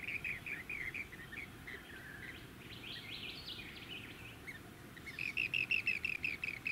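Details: Rainbow bee-eaters at Bribie Island, Queensland, in November; short bursts of rolling, trilled chirps repeated in quick series, with a softer twittering passage between, over steady low suburban and wind noise.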